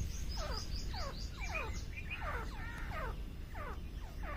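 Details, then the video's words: Grey francolin calling in jungle: a steady run of short, downward-slurred notes repeated about twice a second, several phrases overlapping as if more than one bird, over a low rumbling background. "grey francolin bird calls in jungle"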